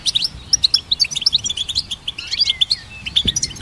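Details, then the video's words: Goldfinch song for songbird training, a clear run of bright, quick chirps repeated several times a second, mixed with liquid twitters and a short slurred whistle. "Goldfinch Symphony"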